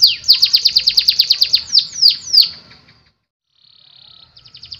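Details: Canary singing a loud, fast trill of sharply descending notes, about three per second, for nearly three seconds, then a pause, a soft buzzy tone and the start of a new rapid trill.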